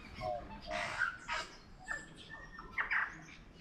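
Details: Tui song in Auckland, New Zealand: a varied run of clear whistled notes broken by harsh, buzzy squawks and short wheezy bursts, with brief pauses between phrases.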